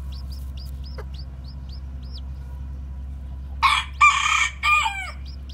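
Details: Newly hatched white, black-tailed Japanese bantam chicks walking about: thin, high, falling peeps repeat steadily for several seconds, then three loud, harsh, drawn-out adult fowl calls break in near the end over a steady low hum.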